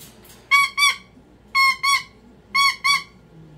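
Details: Three pairs of loud, raspy screeches from a pet cockatoo in meltdown, each pair a quick double squawk spaced about one second apart.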